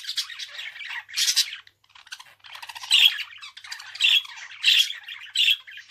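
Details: Budgerigar warbling scratchily, the quieter chatter broken by loud harsh squawks that come roughly once a second in the later part.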